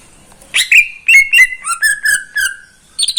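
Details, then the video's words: Caged greater green leafbird singing in the morning in Indonesia, a lively run of clear whistles and quick stuttering notes that slide gently downward, followed by a brief burst of chatter. "Kicauan cucak ijo di pagi hari"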